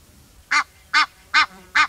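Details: Egyptian goose giving four harsh, nasal honking quacks, evenly spaced roughly every 0.4 seconds, each brief and broad-toned, against a quiet low background.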